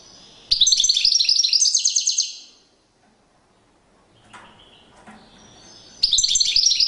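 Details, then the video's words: European goldfinch singing in courtship display: bursts of rapid, high, tinkling twitters and trills, a loud two-second phrase, a pause with faint scratchy noise, then the bright twittering resumes. "Magnifqiue chant une parade nuptiale تغريد رائع"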